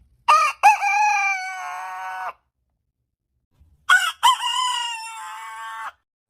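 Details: A rooster crows twice, about three and a half seconds apart. Each crow has two short rising notes, then a long, slightly falling note that fades out. Silence between the crows.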